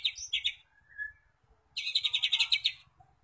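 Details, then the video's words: White-rumped shama song used as a lure to spur other shamas into steady, confident singing: bright, chirpy high phrases, a short lower whistle, then a rapid run of about ten sharp notes. "Suara Pancingan murai batu YANG EFEKTIF dan sudah SUKSES jadikan murai lain gacor dan kuat mental"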